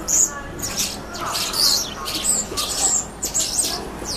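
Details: A flock of common starlings at Yaroslavsky railway station in September 2013 chatters in a dense, high tangle of squawks, rasps and thin whistles, one call overlapping the next without pause.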